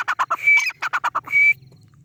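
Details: A milk-white, home-bred grey francolin (teetar) in Pakistan gives a quick run of four harsh, grating notes, then a drawn-out scratchy note. It repeats the pattern over a low hum.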